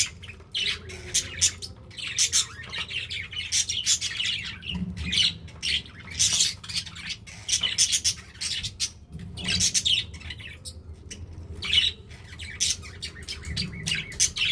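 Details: Budgies kept indoors keep up a long stream of harsh, buzzy chirps and squawks, dense clusters broken by short pauses, with a faint low hum underneath.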